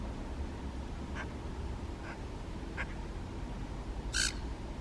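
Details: Eurasian magpie eating rowanberries and calling to the filmer: a few faint, soft clipped notes followed by one louder, sharp, rasping call near the end, over low background hum.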